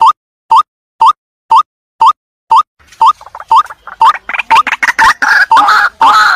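A young White-breasted Waterhen gives short, mid-pitched rising notes about twice a second; in the second half, busier overlapping calls and clutter thicken the sound.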